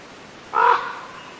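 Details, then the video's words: A single raspy raven call, brief and harsh, over a faint steady hiss. "Raven Bird Sounds"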